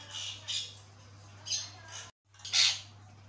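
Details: Javan myna in lively song: three or four hoarse, hissing squawks high in pitch, with a brief silent break before the loudest one; a steady low hum runs under it. Its singing is said to make other mynas answer.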